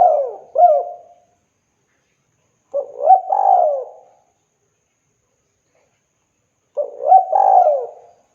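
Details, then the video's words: Energetic spotted dove calling the female: three mellow cooing phrases about every four seconds, each with short rising hoots and a longer sliding coo, set between quiet gaps. "Burung Tekukur Gacor Memanggil Betina"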